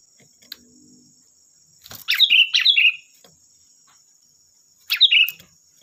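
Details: Lively sooty-headed bulbul song meant to draw other bulbuls into answering: two linked bubbly phrases followed later by a single one, with faint clicks and a steady high whine in the background.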